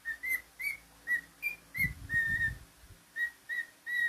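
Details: Pet cockatiel whistling: a run of short clear whistles about a second or less apart, some notes slurred upward, one longer held note near the middle, with low thumping handling noise partway through.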